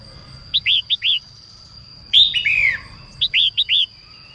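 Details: In morning song to stimulate males, a female red-whiskered bulbul gives four short rising chirps, a long rich phrase stepping downward, then another quick set of four chirps; a faint steady high tone persists throughout.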